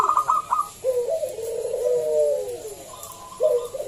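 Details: Local zebra dove used as a lure so other doves will sing: a quick run of clipped notes, then a long, wavering, downward-sliding coo and a fresh phrase beginning.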